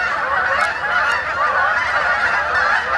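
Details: Canada geese coming in to roost on a woodland pond in Ithaca, New York, in October, a thick, unbroken clamour of nasal honks from many birds calling together.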